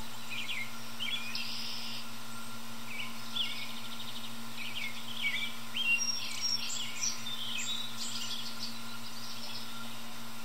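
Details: American robin singing from high in a tree in early evening, toward other birds: scattered short warbled and chirped phrases, fairly soft, over a constant low electrical hum.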